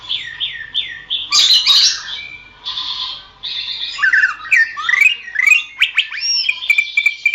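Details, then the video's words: Greater green leafbird song used as tutoring material for songbirds: a run of down-slurred whistles repeated about three times a second, then loud harsh squawks, buzzy notes and rapid twisting whistled phrases ending in a sustained chattering trill. "masteran suara burung cucak ijo"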